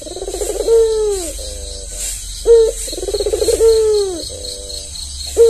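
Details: Red-eyed white albino Barbary dove, a tame caged bird, giving repeated coos: a rolling vibrating phrase sliding into a drawn-out falling note, then softer flat notes, with sharp opening notes between phrases and a soft rhythmic hiss behind.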